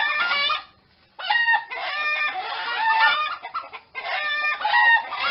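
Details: Rooster among chickens: a loud harmonic call, a brief gap, then a long run of overlapping wavering calls and clucks, and a final strong phrase near the end.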